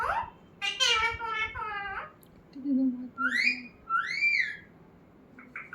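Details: Talking parrot kept as a pet indoors: a long harmonic speech-like utterance, then low murmured notes and two arched whistles rising then falling, with a faint short call near the end.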